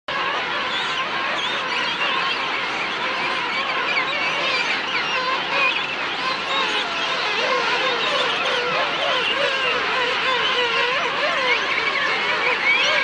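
A dense colony chorus of king penguins: many overlapping trumpeting, warbling calls rising and falling in pitch, forming a steady, unbroken din.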